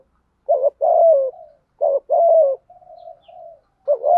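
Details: Low, mellow cooing of a spotted dove, played to stimulate other doves to coo: two phrases of a short note and a longer falling coo, then a quieter drawn-out murmur and the start of another phrase.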